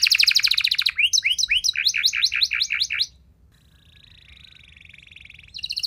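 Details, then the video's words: Singing canary, played to trigger other canaries into active, long singing: a rapid trill, then a series of swooping notes, a soft drawn-out rolling tone, and a renewed trill at the end. "Kenari Mana Saja Bakal Nyaut Cepat Respon Jadi Gacor Nembak Panjang"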